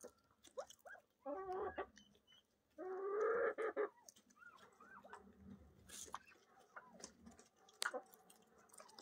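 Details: Young yellow golden pheasants at a pheasant farm give short, rising peeps and two longer harsh, raspy bursts, with faint clicking and shuffling sounds between them.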